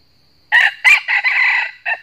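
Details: Wild red junglefowl cock in northern Vietnam crowing fiercely in challenge at a trapped decoy rooster: a loud, hoarse, close crow of two abrupt bursts, a long drawn-out middle note and a short clipped final syllable.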